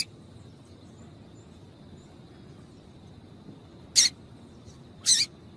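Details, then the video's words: A female yellow-bellied seedeater gives calls to excite males: after a long quiet stretch of hiss, two short rasping chips about a second apart. "Piado de Fêmea de Papa capim para Esquentar Papacapim"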